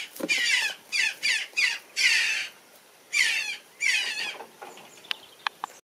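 A young jackdaw gives harsh, raspy, hissing squawks, about seven bursts in quick succession, followed by a few faint clicks.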